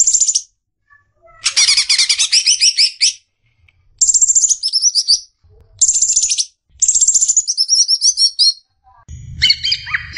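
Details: Song of a champion-candidate greater green leafbird: separate phrases of very high, fast buzzy trills and chattering notes, broken by pauses, with a lower whistled ending over a soft rumble.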